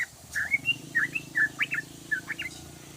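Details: Yellow-vented bulbul in a long ropelan song, a lively run of bright slurred whistles, upswept and down-slurred notes tumbling quickly one after another, over faint low background hum.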